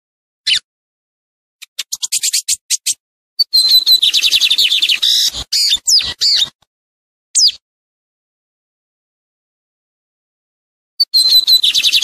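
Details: Lined seedeater song for tutoring young birds in moult: scattered high chips build into a dense stretch of buzzy, trilled song, then a long silence before singing resumes at the end.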